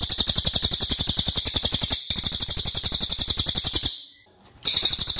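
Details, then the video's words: Racket-tailed Treepie song, used as a tutor for other songbirds. A loud, rapid, chattering buzz of high notes continues for about four seconds, falls silent briefly, then starts again. "MASTERAN CILILIN OKE BANGET"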